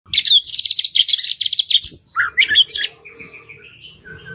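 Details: White-rumped shama song used as a lure to stimulate reluctant birds to sing: rapid rattling runs of high, buzzy notes, then brief pauses, sharp varied slurred whistles and a thin trailing note.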